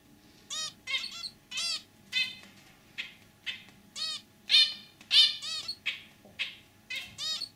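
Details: Caged zebra finch pair, a male with throaty song and a white female that chirps simply, calling with steady nasal honking beeps, roughly one and a half per second, evenly spaced against a faint indoor hum.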